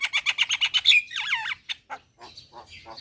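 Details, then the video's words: Javan myna (jalak kebo) lively song: about eight rapid buzzy notes, then wavering whistled slurs falling in pitch, followed by scattered softer rasping notes. "Kicauan Jalak Gacor - Suara Jalak Kebo Paling Gacor"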